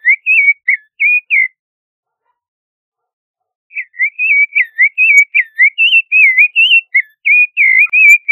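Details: Creamy-bellied thrush, Turdus amaurochalinus, gives a few brief warbled notes, falls silent for over two seconds, then resumes with a long, fast series of looping, slurred whistles.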